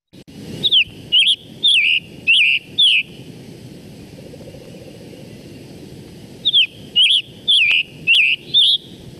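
Scarlet Tanager singing two bursts of short, hoarse, buzzy phrases, robin-like but rough, about four to five phrases each, with a low rumble of distant traffic.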